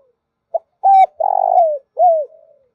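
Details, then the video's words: Spotted dove lure call for trappers, meant to excite males and females: a series of low, hollow coos, a short note then three longer ones, the third dropping in pitch. "Tiếng Chim Cu Gáy Mồi Kích Bổi Kích Trống Mái"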